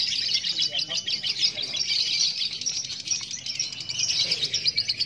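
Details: Champion female lovebird from Klaten, Indonesia, doing the long 'ngekek' song used at competition: a continuous, dense, high rattling trill running unbroken for the whole five seconds, with slight rhythmic swells in loudness.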